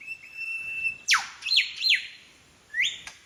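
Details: Lyrebird mimicking other birds along Forest Path, Royal National Park, Sydney; a sustained thin whistle, then a sharp whip-like downward sweep followed by paired loud descending whistled notes and a final rising whistle.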